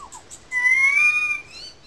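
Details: Loud currawong whistle from a small gully above the wetlands, Sydney Park, St Peters, Sydney; a sustained, gently rising clear note lasting nearly a second after two soft short notes.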